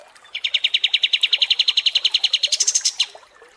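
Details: Kapas tembak songbird singing a rapid rattling trill of evenly spaced notes, about seven per second, that jumps to a higher, thinner pitch just before ending. It is tutor song for competition birds.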